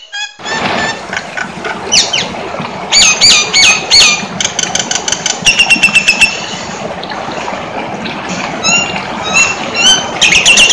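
Nias hill myna in a loud, busy stream of sharp whistles, squawks and clicking phrases, fired off in quick bursts over a steady background hum.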